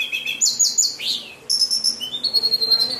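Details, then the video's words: White-rumped shama singing: clear high whistled notes, a quick descending series, a slurred rising sweep, then sustained bright whistles and a soft rapid chatter underneath. "murai batu, kicau burung, suara paling indah"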